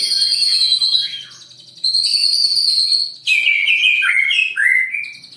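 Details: Indonesian captive-bred white-rumped shama, Jawara bloodline, in long-shot singing that intimidates rivals: ringing high whistled phrases, a short pause, then quick descending slurred notes stepping lower in pitch.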